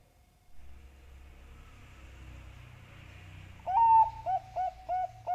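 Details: Zebra dove (Bangkok perkutut) lure call, used to make doves sing diligently: a low steady hum for over three seconds, then a loud rising coo followed by three shorter hollow cooing notes.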